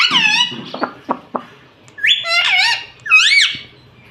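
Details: Tame talking rose-ringed parakeet: a descending nasal syllable and quick clicks, then two loud word-like phrases, each a warbling rise and fall with a raspy tone.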